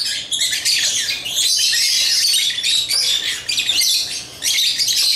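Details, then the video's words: Pet African lovebirds chirping while playing with toys: a dense, continuous wash of high, scratchy chirps and twitters, nearly unbroken for five seconds with brief dips in loudness. "Love birds chirping & playing toys"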